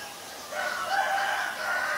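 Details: Black-collared starling, Ubon Ratchathani, Thailand, recorded 17 April 2022: a loud, grating, nasal call begins abruptly and runs on for about a second and a half, rough and strained with faint breaks.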